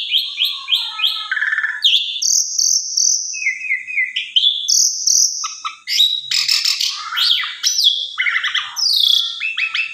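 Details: Asian pied starling singing to rouse a quiet bird: a quick series of repeated chirps, long steady whistles, harsh dense chatter and falling slurred notes, loud throughout.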